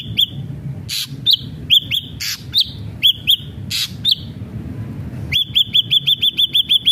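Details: Ashy drongo singing vigorously as a lure for other ashy drongos: irregular hooked whistles and harsh noisy bursts, then a rapid, evenly spaced string of about ten looping whistled notes.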